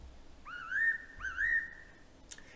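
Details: Fairy Pitta in Taiwan, a distinctive call: two clear whistled phrases, each a brief rising note followed by a longer level whistle, about half a second apart, with a faint click near the end.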